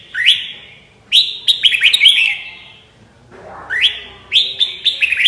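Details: Red-whiskered bulbul singing short phrases of bright, upslurred whistles, each note climbing sharply and ending in a ringing tone, phrases separated by gaps of about a second in quiet surroundings.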